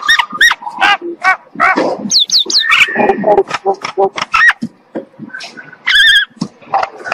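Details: Common myna in morning song, a varied chatter of clicks, gurgles and short looping whistles with uneven pauses, plus a bright high whistle toward the end.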